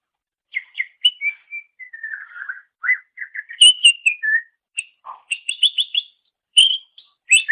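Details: Greater green leafbird singing on a master recording for teaching songbirds: a continuous run of clear whistles, slurred falling notes, quick chips and a brief low note, varied and mimic-like, no other sounds.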